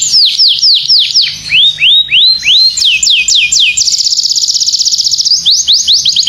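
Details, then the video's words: Gacor domestic canary heard as a training recording: quick descending whistles, a run of upward-curving notes, a fast high trill, then more swooping whistled notes. "SUARA BURUNG KICAU KENARI GACOR/KENARI MASTERAN"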